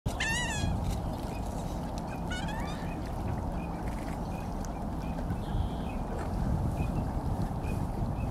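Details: A lone wild mandarin duck at Burnaby Lake, British Columbia, Canada, 2019: two brief whistled calls near the start, each rising then falling with bright harmonics, over a steady heavy rumble like wind.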